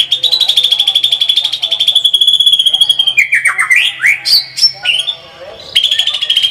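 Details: White-rumped shama in full lively song with many rapid bursts: a fast trilling run of high, even pulses, then sweeping whistled slurs rising and falling, ending with another quick high trill.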